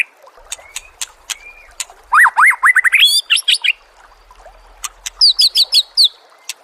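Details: Songbird training recording of Oriental magpie-robin, loud rising whistled notes repeated in quick succession, scattered sharp clicks, then a second series of high, chirping, rhythmic notes.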